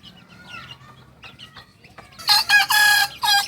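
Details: Young Kokok Balenggek rooster, two months old, a singing chicken breed from Tigo Lurah in Solok, West Sumatra: faint clucks first, then loud harsh crow segments broken into three or four bursts with a short final note.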